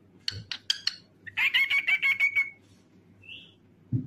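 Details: Cockatiel song: a few sharp clicks and chirps, then a buzzy run of whistled notes holding one pitch before trailing off, followed by a faint rising whistle and quiet background.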